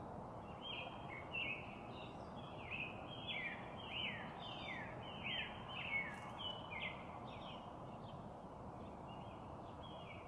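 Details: Long run of repeated downslurred whistles from a northern cardinal, each note sweeping from high to lower pitch about twice a second, over a constant broadband noise.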